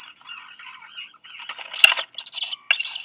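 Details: Two black guillemot chicks, hatched late June, give thin, high twittering peeps in rapid, uneven bursts, broken by sharp clicks, as parents deliver a fish to each; Seal Island, Maine, 4 July 2020, afternoon.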